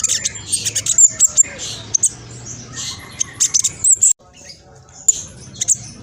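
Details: Black sunbird, speckled variety, in noisy, fast song meant to make other birds answer: crowded high chirps, buzzy twitters and sharp clicks in rapid bursts, with a short break.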